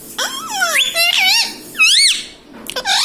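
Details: Pet parrot talking "mummy papa": squeaky, bending word-like syllables rising and falling in quick succession, a final sharp squawk, indoors.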